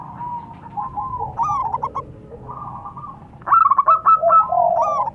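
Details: Local zebra doves, a male and female pair, answering each other: mellow, gently undulating cooing phrases breaking into rapid clipped notes, then a louder overlapping reply of quick stuttering coos, over a faint low hum.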